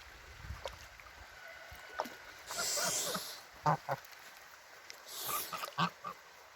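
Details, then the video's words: Male domestic goose, one of a pair, hissing like a snake to protect his mate when approached and feeling threatened: two breathy, harsh hiss bursts about two seconds apart, with knocks and rustling nearby. "Aggressive Goose Makes Snake Sound!"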